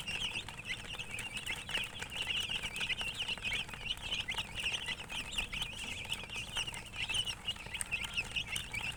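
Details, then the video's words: Many young chicks peep continuously, high shrill chirps tumbling over each other in a steady chorus, with light rustling and tapping sounds in the background. "Chicks Chirping"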